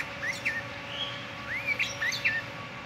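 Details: Sooty-headed bulbul singing in the morning: clear, mellow whistled phrases with quick upward and downward slurs, a drawn-out rising whistle, and a short burst of bubbly notes.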